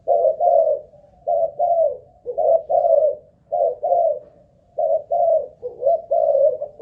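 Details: ['Spotted dove of Malaysian line kept as a ground decoy, cooing during a stamina test: soft hollow two-part coos, each phrase separated by brief silence, steady low pitch, quiet room background.']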